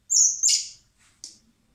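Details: Common blackbird chicks begging while being hand-fed in spring at a wildlife recovery centre before release: a high thin whistled squeak runs into a harsh rasping burst, then a fainter rasp follows a second later.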